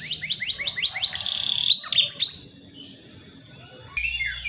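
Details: Young White-rumped shama from West Java learning its song; a quick series of about eight repeated downslurred chirps, then a longer whistled phrase that fades, followed by near silence and a faint final note.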